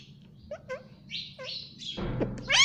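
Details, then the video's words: Indian ringneck parakeet kept as a pet gives short, clipped chirps in quick pairs, then a louder burst of rough chatter with a sharp, high squeak at the end. "parrot chirping Sound _ Cute Indian Ringneck Parrot Mitthu voice"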